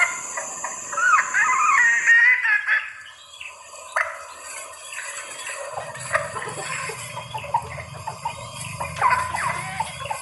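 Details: Lure sound of a female red junglefowl in heat summoning males: a rising, whistled squeal early on, scattered clucks, then another squealing phrase near the end, with a low hum entering partway through.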